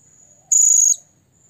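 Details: Loud piercing high-pitched note from a blue-crowned hanging parrot summoning a rival, held steady for nearly half a second before dropping briefly at the close. The background is otherwise quiet.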